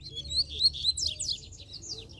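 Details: Dense run of high, sweeping twitters and buzzy slurs from a free-living double-collared seedeater, notes tumbling quickly over about two seconds against low background rumble.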